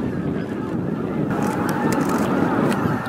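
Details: Greater white-fronted geese flocking into the Miyajima-numa roost, Bibai, Hokkaido, April 2016 evening; a short stretch of massed honking calls partly masked by wind and low rumbling noise.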